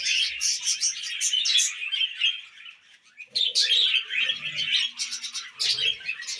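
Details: Tamed budgies feeding on millet: busy high-pitched warbling chatter from several birds, briefly quieter midway, then resuming with bursts of sharp chirps and soft low bumps.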